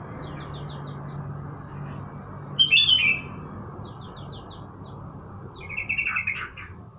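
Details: Yellow-vented bulbul, a kept bird set out for morning sunning, giving short rich whistled phrases around the third and sixth seconds, with thin descending chirps of other small birds repeating in between over a low steady hum.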